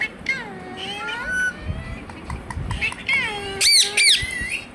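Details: Indian ringneck parrot kept as a pet, talking with its cute voice and said to say "Hello" and "Mithu Mithu"; nasal, speech-like syllables with bending pitch, a louder squeaky burst near the end.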